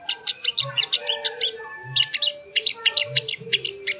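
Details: Sogo ontong as training audio for cage birds: quick, rapid high chirps with a drawn-out upslurred whistle midway, over a soft background hum and low knocks.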